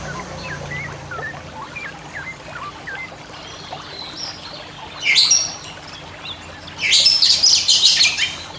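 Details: Basic master song of Oriental magpie-robin for training pet birds that seldom sing: soft, scattered short chirps at first, then two loud, dense bursts of rapid, scratchy, high notes.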